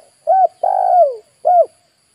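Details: Spotted dove lure call for attracting wild birds: a short cooing note, then a long loud coo sliding downward, then a closing short coo, all mid-pitched and hollow.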